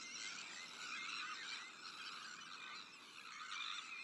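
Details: Dense, unbroken chorus of grating, harsh cries from a Sandwich tern breeding colony where black-headed gulls, arctic terns and common terns also nest.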